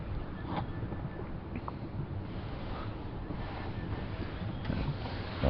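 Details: Steady wind buffeting and a low engine rumble fill the recording, with no animal calls standing out.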